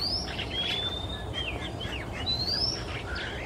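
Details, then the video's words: Male Oriental magpie-robin in Singapore on a quiet afternoon, flying from perch to perch and singing long, clear whistles that glide up and level off, mixed with shorter sliding notes, over a steady rushing background hum. "Sweet singing Male MAGPIE-ROBIN"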